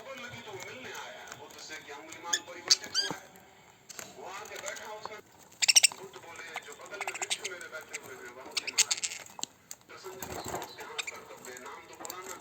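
Budgerigars chatter in a busy, scratchy warble broken by sharp squeaks and chirps.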